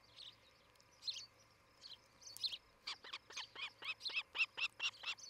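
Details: Osprey couple on their nest in Charlo, Montana, filmed by a 2018 morning nest cam; faint scattered chirps give way to an accelerating string of clear, slurred whistles in the second half.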